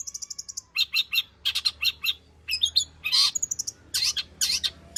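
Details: Long-tailed shrike singing a mix of materials to prompt other shrikes: a quick run of thin high ticks, harsh buzzy notes, brief trills and high whistled slurs, delivered in fast, varied bursts.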